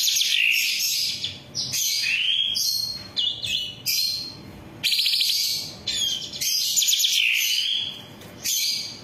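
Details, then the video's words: Song of a long-tailed shrike recorded to train caged birds: loud twittering and grating phrases mixed with clear whistles that slide upward, delivered in fast, shifting bursts with few pauses. "MASTERAN SUWARA BURUNG CENDET"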